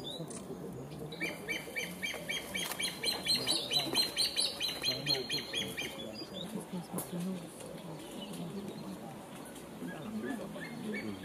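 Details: A calling male African pied hornbill in a forest clearing at Abuko Nature Reserve, The Gambia, December 2015, gives a fast series of high, piping whistled notes, about two a second, swelling then fading, with a man talking over it.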